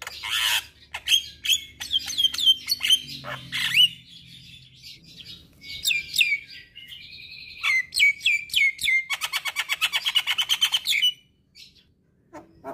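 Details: Javan myna (jalak kebo), caged, song played morning and evening for a stressed bird that has gone quiet: sharp whistled notes and slurred phrases, a held whistle, then a rapid rattling series of harsh notes before soft clicks.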